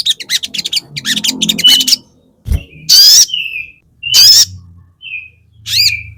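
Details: Sogon, the crested jay, used as a fighter lure to excite other sogon: a rapid dry rattling chatter first, then two harsh rasping screeches each trailed by a short whistle, and a final clipped squawk.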